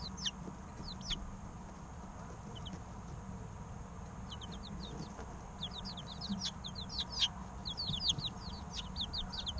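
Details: Three-week-old chicks chirp in real time, starting with scattered high peeps that build into fast, crowded runs of sharp falling chirps, with a soft steady hum in the background.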